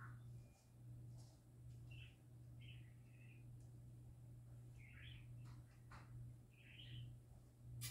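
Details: Happy singing parakeets giving brief, spaced warbled chirps and short twittering phrases, with occasional clicks and a constant low hum behind.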